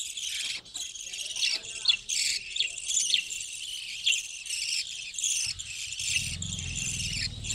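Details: A hut colony of breeding budgerigars fills the air with unbroken overlapping chirps and warbles, a busy high-pitched chorus with a faint low hum entering toward the end.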